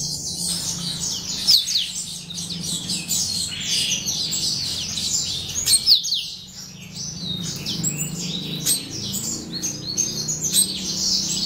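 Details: Yellow-rumped Seedeater chicks of the somereni subspecies keep up a steady chorus of shrill, squeaky chirps. Many thin notes overlap into a constant high twittering, and a couple of sharp upward squeaks cut through the mass of sound.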